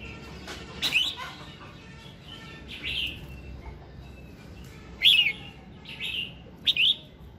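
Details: Red-whiskered bulbul morning song used to prompt other birds to sing: short warbled phrases of rising and falling whistled notes, bright and sharp, in bursts a second or two apart against a quiet background.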